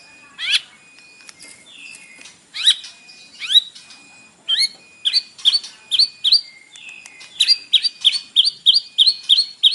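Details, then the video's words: Isian-filled white-rumped shama song used in the morning to provoke a captive bird; scattered sharp, downward-sweeping notes build into a fast repeated series of clipped chips. "PANCINGAN pagi hari EFEKTIF bikin Gacor dengan suara murai batu isian"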